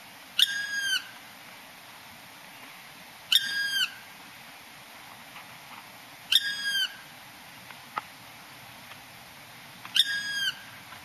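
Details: Black woodpecker on Mount Sapporo near the Hiyamizu stream, recorded on 6 April 2012, giving four short rattling bursts of ringing, harmonic notes, repeated roughly every three seconds, with faint knocks between them in a quiet forest.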